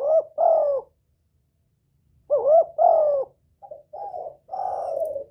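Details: Lure calling of a spotted dove, aimed at exciting a decoy bird and attracting a male: two groups of paired coos, each a quick upswing into a longer falling note, then a softer stuttered trio, all separated by short silences.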